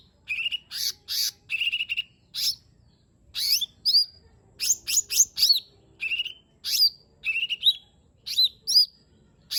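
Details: Lesser green leafbird pouring out varied song, used as a lure for a bird that will not sing: repeated sharp chips, twangy slurred whistles and quick doubled notes at a lively, steady pace.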